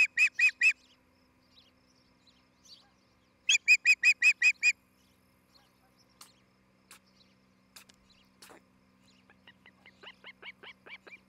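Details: Osprey at a nest near treetops in Charlo, Montana, where a pair is building a new nest, on a morning nest camera on 11 July 2018. Two bursts of rapid, sharp, repeated chirps, followed by scattered clicks and a softer series of chirps at the end.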